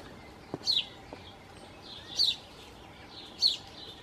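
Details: Song thrush at a nest with four young, both parents flying in and out with food during days of extreme heat and drought; a short, high, thin, downslurred note repeats three times about every 1.4 seconds over a quiet background.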